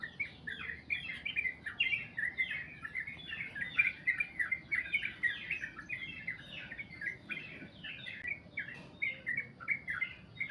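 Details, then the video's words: Sooty-headed bulbul singing a long song in the goklik panjang style, a continuous run of quick chattering, warbled notes repeated without pause, with faint background noise. "trucukan goklik panjang"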